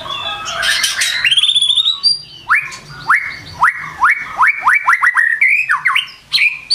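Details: White-rumped shama morning song: an opening burst of scratchy high notes, then a series of clear upswept whistles about every half second, ending in quicker looping phrases.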